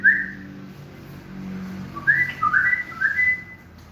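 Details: Tame Moroccan common bulbul giving morning whistled song: a single clear slurred whistle, a pause, then a quick run of four or five fluty rising and falling notes, in a quiet room.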